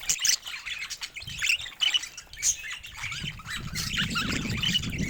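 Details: Happy pet budgies chatter in high, scratchy warbling bursts broken by brief clear whistles, while a soft low rumble grows toward the end.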